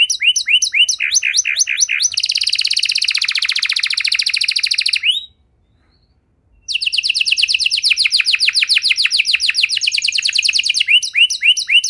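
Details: Canary singing a long special-variation song intended to lure quiet canaries back into song; choppy repeated notes lead into a dense buzzing roll, a short silence, then a fast shimmering trill and choppy notes again.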